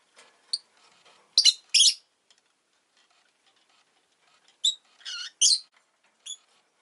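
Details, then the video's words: Pet rosy-faced lovebird after laying an egg, uttering harsh, buzzy chirps in two bursts of three or four notes each, separated by a quiet pause, plus light scratchy rustling. "Lovebird Chirping Sounds"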